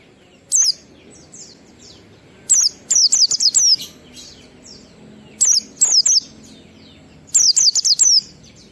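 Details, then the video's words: Oriental white-eye singing the ngalas style with a 12345 beat, played to prompt other white-eyes to sing. Four bursts of loud, high, sharply descending chirps, some quick runs of three to five notes, over faint twittering. "Pleci Ngalas 12345 AMPUH memancing Pleci bahan omyokan Cepat buka paruh"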